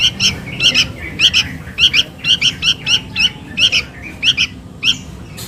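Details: Sooty-headed bulbul chick calling its mother, used as a lure sound: harsh, buzzy, harmonic squawks in pairs and short bursts, repeated quickly and unevenly over a low background hum.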